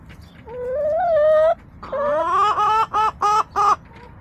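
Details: Backyard chicken on April 27, 2024 lets out a loud drawn call that rises and holds, then a rising note breaking into four or five evenly spaced harsh pulses, indoors-sounding and close.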